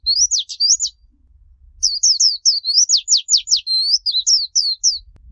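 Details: Japanese white-eye singing in the líu chòe style, a noise-free training recording for young birds: a short burst of high slurred whistles, a pause, then a long fast phrase of rising whistles and a quick run of descending sweeps.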